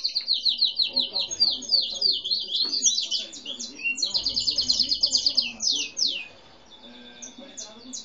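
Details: Domestic canary, grey and white with no defined breed, recorded as a seedeater also sang; fast rolling trills and repeated sharp high notes for six seconds, then the song fades to scattered soft chirps.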